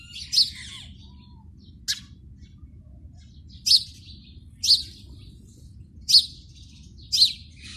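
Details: House sparrow calling at a PVC pipe nest: short, sharp chirps repeated at irregular intervals, about six in eight seconds, over a low steady background rumble.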